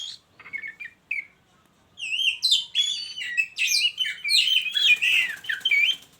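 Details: Captive Oriental magpie-robin in a hanging cage joined with a mate: a few soft, low chirps, then a vigorous, continuous outpouring of twisting whistles and buzzy trills.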